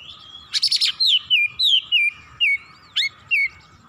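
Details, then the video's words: Kacer, the oriental magpie-robin, worked up and emotional while unloading its full song repertoire: a harsh rattling burst followed by a quick series of about eight short, downward-slurred whistled notes. "KACER GACOR MEMANAS NAIK EMOSI BONGKAR ISIAN"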